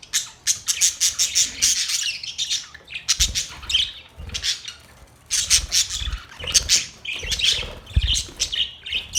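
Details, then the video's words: A group of Australian parrots squawking and chirping in loud pulsing bursts, many birds calling together with brief dips between bursts. "Australian parrot Beautiful birds chirping sounds"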